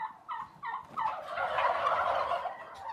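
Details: Turkey sound: three short yelping notes, then a long, loud, bubbling gobble rolling for nearly two seconds and fading at the end.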